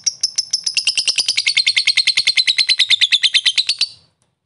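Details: Fighter lovebird in full continuous song, called gacor, used as a lure to prompt other lovebirds to sing: a fast, chattering trill of high, sharp notes that drifts slightly lower for about four seconds, then stops abruptly.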